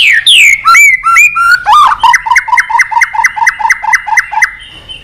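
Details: White-rumped shama, song for stimulating and training birds: clear falling and ringing whistles, then a steady run of paired two-tone notes repeated about four times per second.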